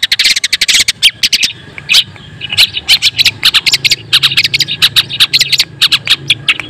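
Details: Long-tailed shrike, white-breasted form, singing as a lure to provoke rival shrikes: an opening flurry of rasping notes, then a steady stream of short sharp chips and whistled accents.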